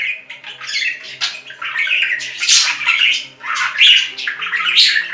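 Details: Budgerigar chirping and squawking in uneven bursts about once a second, squeaky warbled notes mixed with harsher rasps.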